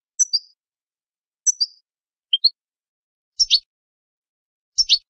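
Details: European goldfinch song for training birds: high twittering notes, a sliding sharp phrase twice, one rising chirp, then two buzzy, scratchy double notes, each separated by about a second of silence.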